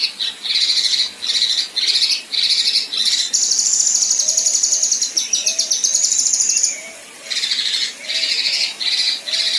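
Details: Female Kinoi in 'besetan' and 'tembakan kasar' style: a fast run of raspy bursts, then a long, high, thin buzzing trill of about three seconds, then more harsh bursts. Faint softer chirps sound underneath.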